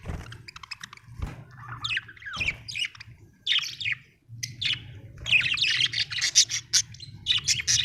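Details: Happy budgie from Australia chattering in a busy mix of scratchy squawks and warbled chirps, increasingly dense near the end, over a steady low hum and some clicking.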